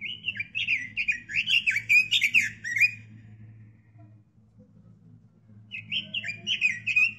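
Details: Caged robin recorded as master song for tutoring other songbirds: a lively three-second run of rapid, slurred warbling notes, a pause, then a shorter warbled phrase resuming, with faint low background hum.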